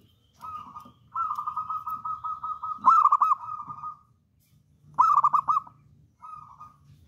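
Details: Local wild-type zebra dove singing actively: sustained, mid-pitched cooing notes with a fast bubbling trill, one long rolling phrase followed by shorter bursts, with faint low background rumble.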